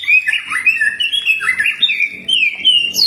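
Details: Common iora training song: a continuous warbling phrase of slurred whistles that dip and rise, rich and varied, ending on a higher upward note.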